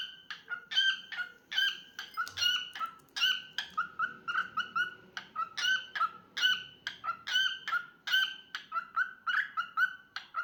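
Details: Singing pet cockatiel gives a steady, uneven string of sharp chirps with ringing overtones, several per second. Occasional harsher notes break in, over a soft background hum.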